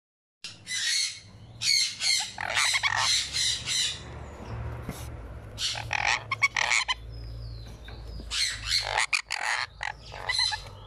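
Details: A one-week-old sun conure chick being fed gives harsh, raspy squawks in rapid pulsing bursts, with brief pauses between clusters, over a steady low hum.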